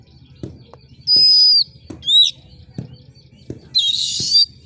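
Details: Sharp oriental magpie-robin screeches to fire up competition birds: a long high whistle, a short downslurred note, then a rough buzzy screech, with soft regular low ticks throughout.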